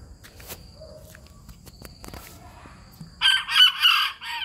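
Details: A bantam (gà tre) rooster near Hanoi: after three quiet seconds of faint clicks and a thin high whine, it gives a short, shrill, strained crow in three quick surges.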